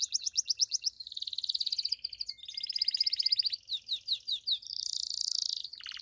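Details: Pied Belgian canary singing the 'campainha' bell song that encourages other canaries to sing and females to come into form: rapid pulsed trills, repeated descending notes about four per second, and a high rolling tour.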